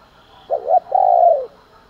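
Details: Spotted dove coo meant to provoke fighting, heard in the morning: a single phrase of two brief wavering notes, then a longer steady coo that slowly drops away, loud and clear against a faint hum.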